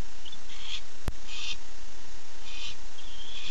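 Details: A male barn owl calls for his mate on the night of 8 September 2015 with short, scratchy hissing bursts and a thin drawn-out wheeze, broken by a single sharp click.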